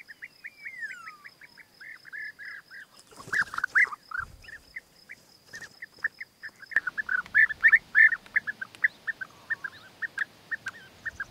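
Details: Courting European bee-eaters, with the male bringing food gifts to the female: many quick, purring trilled notes in a dense chattering series, broken by rustling and knocking noises mid-way, then calls resume louder and busier.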